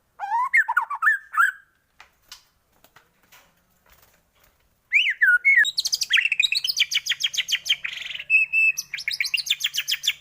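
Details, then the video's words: White-rumped shama lure song aimed at making shamas sing quickly and show their learned filler phrases; looping whistles, quiet clicks, then a long fast rattling trill of high buzzy notes. "pANCINGAN pendongkrak emosi burung murai batu cepat gacor mudah bongkar isian"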